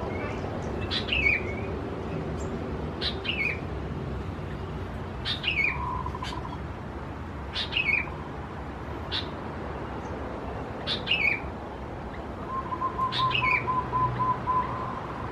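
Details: Young sooty-headed bulbuls of subspecies thais at Khao Yoi, Phetchaburi, Thailand, recorded 17–20 June 2020: short sharp calls dropping into a downslurred note, repeated about every one to two seconds, with a faint steady hum beneath.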